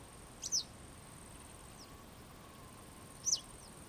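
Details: A Western yellow wagtail gives two thin, high downslurred calls nearly three seconds apart, each followed by a fainter echo-like note, over a quiet hiss and a high steady tone.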